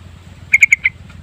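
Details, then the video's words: Yellow-vented bulbul lure sound, known locally as trucukan pikat gacor: four bright, clipped notes delivered rapidly and evenly, then silence apart from a steady low background hum. "Kicauan Burung Trucukan Pikat Gacor Panjang Full Isian"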